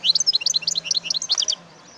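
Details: A wild European goldfinch, recorded in 2018, delivers a rapid tinkling phrase of bouncing high notes lasting about one and a half seconds before falling silent over a low hum.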